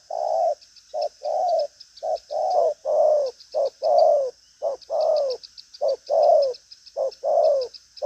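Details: A hard-cooing spotted dove, 'đồng pha chân cua' form, restless in manner, delivering driving coos with a trailing tail: low mellow notes in short-long pairs, the longer note sliding downward, about a second apart, with insects buzzing high behind.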